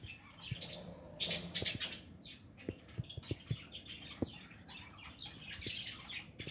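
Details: Budgerigars breeding in an aviary in 2020; chirpy warbling chatter, louder in bursts early on, mixed with a series of sharp clicks and taps from the cage.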